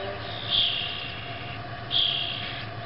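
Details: Baby grackles: two drawn-out, raspy, high calls about a second and a half apart, with a steady low hum underneath.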